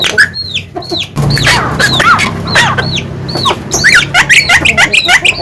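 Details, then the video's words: Energetic song of a Javan myna: looping, hooked whistled notes and rasping bursts in an irregular stream, with a steady low hum in the background. "burung jalak kebo mata putih gacor losss"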